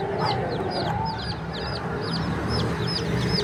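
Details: Young chicks at a bird market in Pakistan give rapid, clustered high peeps, each a short rising-then-falling note, tumbling over one another against a constant low hum and crowd din.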